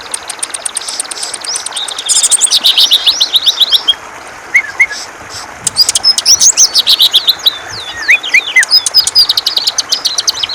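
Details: Active greater green leafbird giving ngentrok-style song used to spur other birds: bursts of fast, high chirping and twittering whistles broken by short pauses and a few lower slurred notes, with faint background noise.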